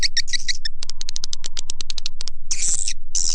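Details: Swiftlet lure call meant to draw birds to farmers' nest sites: bursts of high chirps, then a run of sharper clicks over a faint steady hum, ending in a harsh, dense chattering buzz.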